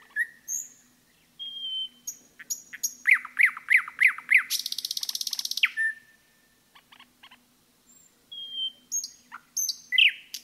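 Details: Nightingale song in a forest with rich variety: rising whistles, a row of five loud repeated sweeping notes, a sustained metallic rattle, then scattered high whistles and chirps after a pause.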